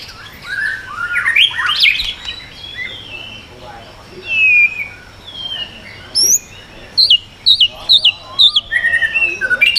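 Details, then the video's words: White-rumped shama song meant to provoke other birds: rambling warbled whistles over background hiss, later a string of short, sharp, high looping notes. "chòe lửa hót giọng yến reo,bắn dây đảo giọng đánh đuôi kích chim cực mạnh"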